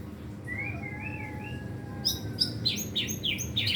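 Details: Caged white-rumped shama (murai batu) in training, singing soft gliding whistles, then a quick series of loud sharp chips and downslurred notes, about three per second, over constant low noise.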